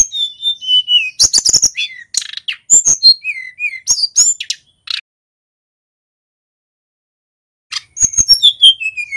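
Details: Singing local male mountain white-eye from Pacitan in full rolling song: falling whistled phrases, sharp chirps and scratchy bursts for several seconds, a long silent gap, then a cascade of high descending notes.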